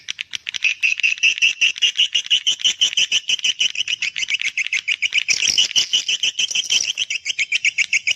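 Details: Swiftlet calling to young swiftlets: a fast, continuous run of short high chirps, roughly five per second, with a rougher, louder stretch midway before the regular chirping resumes.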